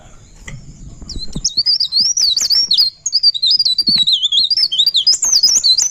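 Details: Pare pare bird singing in the rolling 'ngerol' style: rapid, continuous high warbled phrases of twisting whistled notes, sustained without pause after a quiet opening second, with a faint steady high hiss behind.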